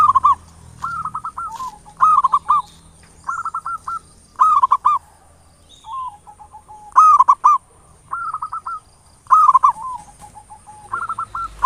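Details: Local zebra dove lure song, ngayer nulop style, played to excite other doves into singing: a steady run of rolling, stuttering coo phrases roughly every second, loud and soft ones alternating, with a faint high hum throughout.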